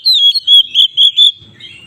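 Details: {'caption': "Oriental magpie-robin singing the loud 'ngeplong' style, used to make other magpie-robins agitated and ready to fight. Five clear, slightly wavering whistled notes come at steady intervals."}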